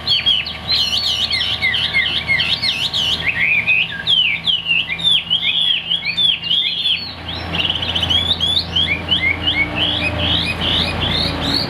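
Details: Chinese hwamei kept as a cage bird, large-bodied with a fig-leaf tail, perched high and singing a dense, rapid run of bright looping whistles that continues for the whole stretch over a faint low hum.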